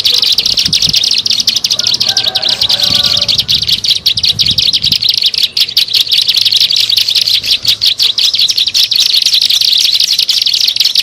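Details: Bar-winged prinia lure recording for attracting birds: loud, rapid, continuous chattering of sharp high notes, densely repeated with little pause, with some low background rumble.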